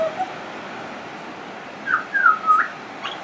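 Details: A friendly pied butcherbird sings at length, said to include mimicry: a few clear whistled notes near the middle, sliding and flute-like, over a steady background hiss.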